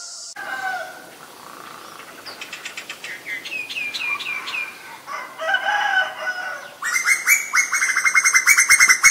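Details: Common myna recorded February 28, 2022 in Ubon Ratchathani, Thailand, on a Nikon P1000: a varied sequence of rising upslurred whistles, gurgling notes and fast harsh chattering that grows louder toward the end.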